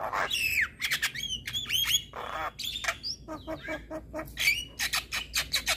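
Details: Male Javan myna song recorded as training material to excite rival mynas: twisting whistled slurs, grating squawks, a hoarse rasp and a string of quick clicking chips.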